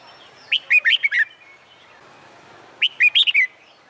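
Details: Red-whiskered bulbul training for contest singing in summer sun. It gives two clear, bouncy phrases of five rapid whistled notes, about two seconds apart, over quiet background chirps.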